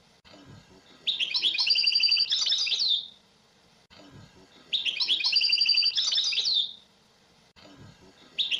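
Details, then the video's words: Song of a European goldfinch: two long, loud, buzzy, twittering phrases lasting about two seconds each, separated by quieter gaps with faint low background noise. "تغريد حسون في غاية الجمال بدون اخطاء"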